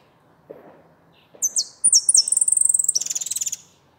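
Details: Goldfinch delivering a few high whistled notes that break into a long, fast, buzzy rattling trill of evenly repeated pulses, with a few soft low taps before it.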